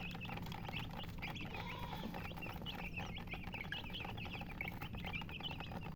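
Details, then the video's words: Hen-coloured chickens making many rapid, thin chirps that overlap continuously, with one drawn-out wavering call near the second mark, all over heavy droning background noise. "silly chicken chirping sounds with murgi hen color chicken"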